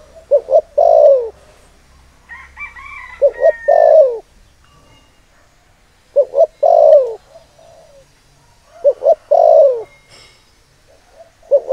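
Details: Decoy spotted dove giving its lure call to stir up males: repeated phrases of two quick coos and a drawn-out descending croon, four phrases in under twelve seconds, with a brief higher warble after the first.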